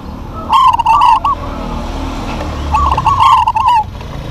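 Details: Two long phrases of rippling, trilled cooing from local zebra doves in duet. Each runs about a second of fast, wavering notes, separated by a quiet gap over low background noise.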